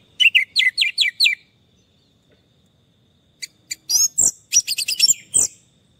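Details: Orange-headed thrush song used as therapy for stressed birds that have stopped singing: six quick, sweet, bright notes, a pause, then a run of varied, high, scratchy and whistled phrases.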